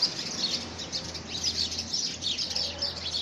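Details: House sparrows contesting a nest box built for them, February 2017; quick, shrill chirps repeated in close succession over a faint low background hum.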